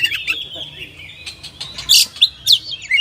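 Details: Oriental magpie-robin (kacer) giving a drawn-out thin whistle followed by a few loud, harsh bursts and rising slurred notes.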